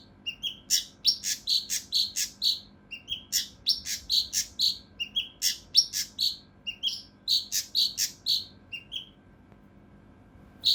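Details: Mountain leaf warbler singing its rough, dense 'tembakan' song for tutoring competition birds: repeated phrases of quick, sharp, high notes mixing lower and higher chips, given in bursts.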